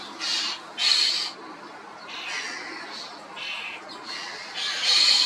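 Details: Common starling (Sturnus vulgaris), loud calls: harsh, noisy bursts high in pitch, about six separate rasping squawks spread across five seconds, with the loudest at the start and end, over a faint hiss of background noise.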